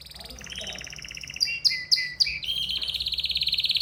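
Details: Excited canary singing: long rapid trills around high pitch, broken by a few loud sharp descending notes near the middle, then a fast even trill rolling on to the end.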